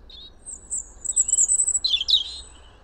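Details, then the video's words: Wild, free European robin in spring song: a thin, very high drawn-out trill followed by a quick tumbling warble of tinkling notes, over a faint low rumble. "songs , calls european robin"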